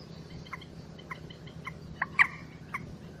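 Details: A common moorhen gives short, sharp clucking notes about every half second, with one louder double note near the end, over a low steady hum.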